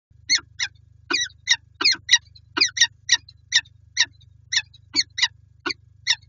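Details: Peregrine falcons at the PGE site in Lublin, Poland, on 5 April 2020: a rapid, harsh series of grating calls, about twenty bursts in six seconds, some doubled, over a steady low mechanical hum.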